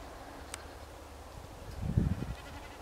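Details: Common snipe drumming during display flights of several snipes over meadows: a brief, low, bleating tremolo that swells and fades over about half a second against a steady low rumble of wind.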